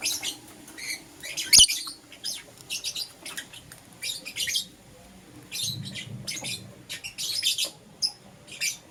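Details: Lovebirds, green opaline Euwing and lutino, kept as pets, chirping in the morning: bursts of harsh, high, buzzy chirps in quick clusters, some near-continuous runs, with a sharp click and faint low room noise.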